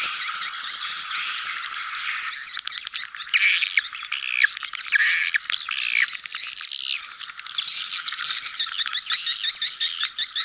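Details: Swiftlet colony recording in the sedot anakan style, meant to draw young birds into new buildings: thin high repeated chirps at first, then a thick mass of overlapping squawking, twittering and buzzy calls throughout.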